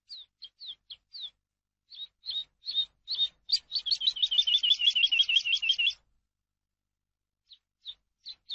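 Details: Eurasian skylark song used for tutoring captive birds: short separate chirps, then a fast run of repeated high notes for about two seconds, then scattered chirps again.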